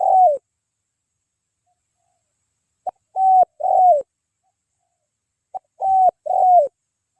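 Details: Afternoon at a mikat luring site, a spotted dove gives its cooing phrase three times: a brief soft note and then two low, hollow, slightly falling coos, each phrase separated by about two seconds of silence.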